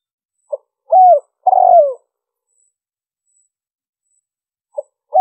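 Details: Spotted dove cooing to lure other doves: a faint short note, a bent coo and a long hoarse falling coo make one phrase, followed by silence and the start of the next phrase.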